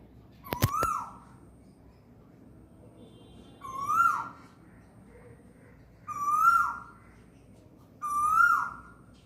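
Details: Asian koel calling very close in spring afternoon from a guava tree in a courtyard while eating guava; sweet rising whistled notes repeated about every two seconds, four calls, with a sharp clatter near the start.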